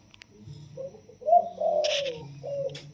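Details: Wild-caught spotted dove, caged for 16 days, crowing in the single-kuk 'yon kuk diao' style: soft low coos, a short note then a long drawn-out coo falling at its end and a brief closing coo, with one sharp rustling burst midway.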